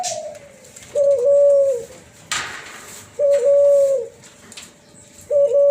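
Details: Cuhu Kelantan, an F1 hybrid of Kelantan spotted dove and tangerine-colored collared dove, giving its flute-like 'suling' coo: sustained, even, whistle-like notes lasting about a second, repeated roughly every two seconds, with a faint click between.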